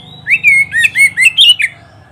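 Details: Training recording of oriental magpie-robin song for pet birds: a thin high whistle leading into six loud, clear slurred and whistled notes with crisp clicks, lasting about a second and a half, over low hum.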